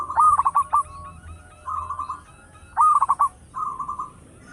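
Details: Loud singing local zebra dove, suitable as a lure: each phrase opens with a few sharp staccato coos and ends in a soft rolling trill, given twice.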